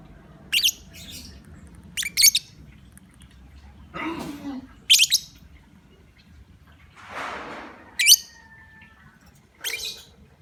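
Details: Lovebird lure calls to draw other lovebirds into calling: a series of shrill, high screeching bursts, several doubled, spaced a second or two apart, interrupted by a rushing, noisy hiss and a lower chattering sound.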